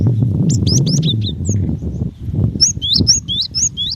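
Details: Female cinereous tit calling for a male: a quick series of high whistled chirps, a few at first then a steady run of paired notes, over heavy low rumbling background noise.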